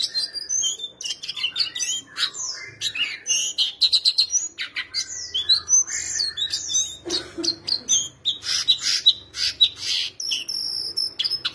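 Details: Kept shortwing singing eagerly: a rapid, jumbled stream of high, thin whistles and sharp chirps, some notes sliding up or down, almost without pause. Faint rustling sounds in the background.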